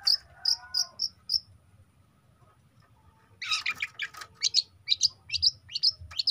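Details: Juvenile long-tailed shrike delivering spaced high chirps, a short quiet gap, then a harsh scratchy burst followed by a fast series of sharp, upward-flicked chirped notes.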